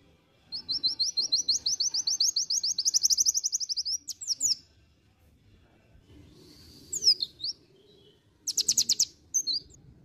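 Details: Ngriwik-style song from a pleci dakun white-eye: a sustained high trill of evenly spaced notes lasting about four seconds, then a pause and two brief high, twittering bursts.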